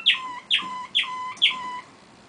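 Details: A Waterslager canary male sings alone while his brother listens, giving four evenly spaced notes about half a second apart, each a bright burst falling into a steady low whistle, then quiet.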